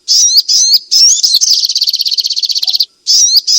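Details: Striated grassbird song meant to stir lazy birds to sing: dense warbled, whistled phrases flow into a sustained, quickly pulsing rattle, break off briefly, then resume with bright upslurred notes.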